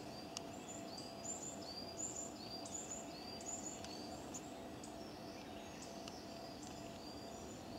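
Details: A Varied tit carrying nesting material, probably near its nest in a stone lantern, repeats thin, high, short alarm notes, more than one a second, over a steady background hiss.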